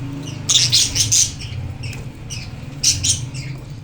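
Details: Budgerigar chick a couple of days out of the hatching house, playing with its adult parents: loud clusters of shrill, raspy chirps in two bursts separated by softer calls, in a quiet indoor setting.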